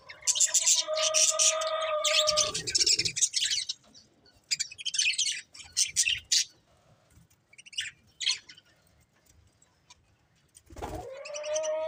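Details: Breeding pair of colourful budgerigars, chattering in bursts of buzzy, scratchy high chirps, with a few lower drawn-out whistled notes, pauses between the bursts.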